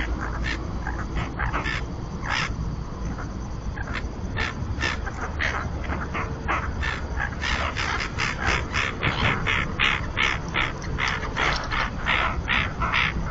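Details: Common terns at the only Cantabrian colony, Marismas de Astillero, Santander Bay, Spain, pairs incubating on a floating platform; a long, irregular stream of short harsh calls, growing denser and louder toward the end, with low background rumble.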